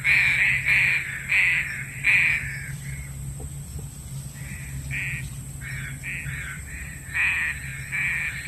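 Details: Lure recording of a green pigeon for trapping birds: rough, burry notes repeated about every half second, loud at first, then quieter and scattered, then stronger again near the end, with constant low hum and high-pitched whine behind.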